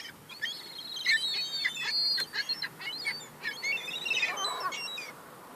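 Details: Several young gulls squabbling over crumbs, giving a busy stream of high, squealing, whistled calls that overlap and repeat rapidly throughout, with a harsher, lower squawk near the end.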